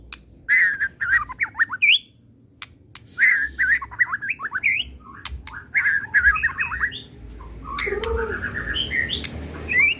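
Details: Lure song of a white-rumped shama of the Pastol type: rich whistled phrases with quick falling slurs, repeated in clusters between brief gaps, ending with higher rising whistles.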